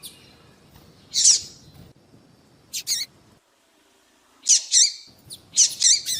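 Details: Female double-collared seedeater call meant to attract and excite males; scattered loud, high chirps, a brief silent gap, then a quick closing series of bright wavering notes.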